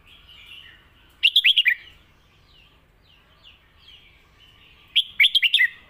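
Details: A red-whiskered bulbul sings the 'Lak Wai' master song twice: bursts of five or so sweet, slurred whistles about four seconds apart, with faint chattering notes in between.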